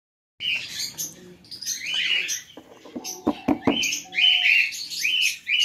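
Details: Blue spangle Hogoromo budgerigars chattering with bright, scratchy warbles and quick chirps, with a few clicks and taps.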